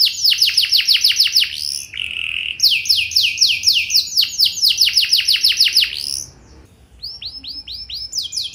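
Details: Canary singing to make other canaries sing back: bursts of rapid descending whistles separated by a brief buzzy note, a long repeated series, a short pause, then softer arched notes resuming.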